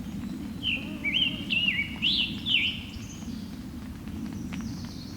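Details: Scarlet Tanager singing in the Allegheny National Forest, a quick run of four or five hoarse, burry, slurred phrases like a robin with a sore throat, over a steady low rumble; a clearer recording from an earlier encounter.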